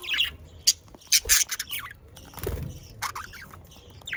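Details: Pet budgerigars giving sharp, high squawks and short chirps in irregular bursts, with a soft low thump partway through and quieter twittering at the end.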